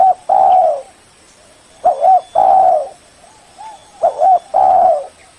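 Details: Spotted dove lure call used to draw in a rival: loud cooing phrases of two quick notes then a long low coo, repeated about every two seconds, clean with little background.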